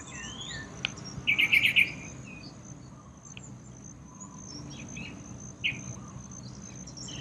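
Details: Yellow-vented bulbul at a small courtyard bathing pool: a burst of five rapid, clipped chirping notes early on, then a single later note and quiet, with a constant shrill insect drone in the background.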